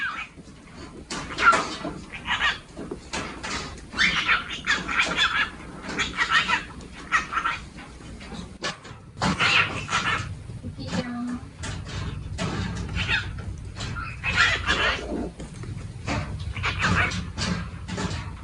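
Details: A young male cockatiel, hatched around February 2022, happily chatters to itself while waiting during room cleaning, giving a run of short, scratchy warbles and squeaks.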